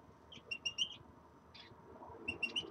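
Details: Common redpolls in a new cage give a quick run of high chattering notes, then a short buzzy note, then another brief run of three notes.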